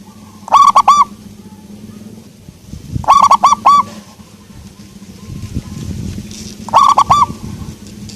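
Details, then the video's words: Local-type zebra dove with a soft voice, singing three cooing phrases, each a quick burst of three or four arched, resonant notes, spaced a few seconds apart over a steady low hum. "perkutut lokal suara empuk"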